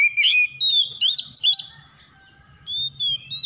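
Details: Morning call of an Oriental magpie-robin: quick, loud whistled chirps with rising flicks, a short silence, then a long steady whistle.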